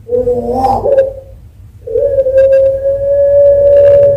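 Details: Captive zebra dove at an Indonesian bird farm in Sragen, Central Java, singing as a lure for other doves: a brief warbled, rough phrase, a pause, then a long sustained steady hoot.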